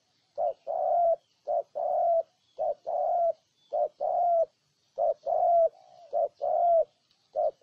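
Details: Spotted dove in Ninh Thuận, Vietnam, cooing loudly in a steady series: short low notes alternating with longer sustained coos, phrases repeating about once a second against a quiet background.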